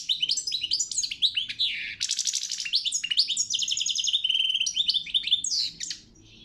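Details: European goldfinch singing at a world championship song competition: rapid, liquid twittering with buzzy trills and quick rising and falling high notes, delivered almost without pause.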